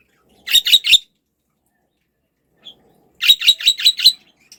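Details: A pet budgerigar chirps three times in a row, pauses, then gives a rapid run of five or six raspy chirps.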